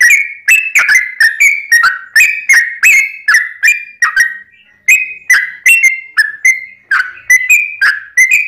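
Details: Sooty-headed bulbul, a singing bird used to provoke others into song, giving rapid bubbly whistled phrases of two to three notes, stepping between higher and lower pitches, repeated steadily with sharp clicks at each onset.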